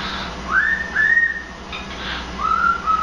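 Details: A pet cockatiel whistles the Imperial March from Star Wars in three clear, sustained notes, the first sliding upward, the last a little lower, over a faint indoor hum.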